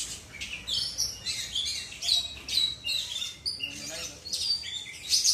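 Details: Oriental magpie-robin, a kacer from Indonesia's South Aceh, singing short, loud bursts of shrill whistles and scratchy notes. The bursts come roughly every half second, with quieter gaps between them.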